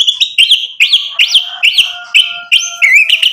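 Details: White-rumped shama singing loudly as bait to provoke rivals to respond: a run of bright, looping whistled notes, each sweeping up and down, repeated about twice a second. A faint low whistle underneath.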